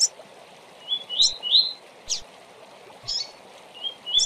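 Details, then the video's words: Fast tui-tui song of a Double-collared seedeater, played to train brown young birds for singing contests: high sharp chips between quick rising whistled notes, in two short phrases over constant background hiss. "Tuiuti rápido para ENCARTE de futuro campeão tui tui rápido para torneio"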